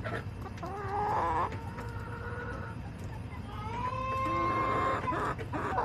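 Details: Backyard hens clucking and calling: a drawn-out nasal call, a pause, then a long level tonal call with rougher clucks around it, over low steady background rumble.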